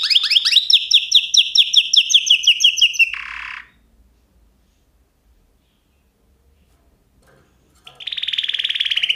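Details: Canary song: a rapid, slightly falling trill of bright notes for three seconds and a short buzz, then about four seconds of silence before a fast, even trill starts again.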